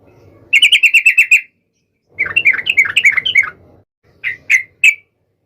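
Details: Sooty-headed bulbul calling a rival, meant to make listening bulbuls answer immediately. A quick series of about eight clear chirps, then a jumbled bubbly phrase, followed by three isolated sharp notes.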